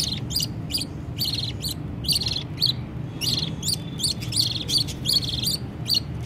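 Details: Budgerigar nestlings pleading to be fed, the mother feeding them: clustered raspy squeaks in quick pairs and triplets, rising and falling in loudness, over a dull background hum.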